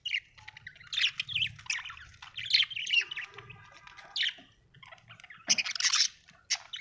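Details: Happy budgerigar singing a busy chatter of squeaks, clicks and short chirps with several loud harsh squawks, low hum in the background.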